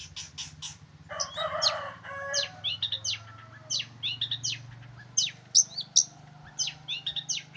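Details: Male long-tailed shrike from Ngimbang, Lamongan, in full energetic song: varied high scratchy notes and sharp downslurred chips, with a brief harsh burst near the start, irregularly spaced over a steady low hum.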